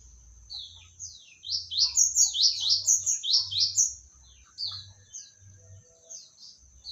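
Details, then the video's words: Medan-variety magpie-robin sings a fast, rhythmic series of bright, falling whistles, about two per second, peaking mid-clip, then tapering into scattered notes. A persistent high whine and low hum are in the background. "suara burung kacer medan"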